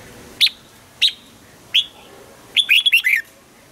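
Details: Red-whiskered bulbul kept in a cage and trained for morning singing: three spaced single whistled notes, then a fast tumbling run of five notes that drops in pitch.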